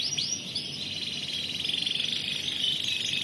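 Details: Canary singing competition-style: a couple of short upward-swooping notes lead into a long sustained high rolling trill that holds steady to the end, over a low background hum.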